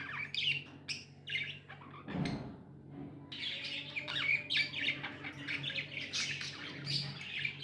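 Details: Pet budgies chatter in a rapid mix of chirps, warbles and squawks, a brief low thump near the start, then dense overlapping twittering from several birds above a low hum.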